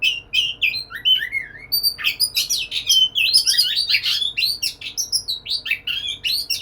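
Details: Courting white-rumped shama in a cage, opening with a few clear whistled notes that slide downward, then breaking into a long, rapid stream of varied chirps, trills and squeaky notes.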